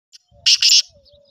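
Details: Black francolin giving a short harsh call of two loud grating bursts in quick succession, high-pitched and rasping, with a faint thin whistle running beneath and near silence around them.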